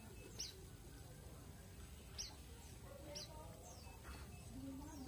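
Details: A kept white-eye gives its general call, used to call other white-eyes: thin, high, downslurred notes, a few spaced about a second apart, over soft background hiss and a man's voice.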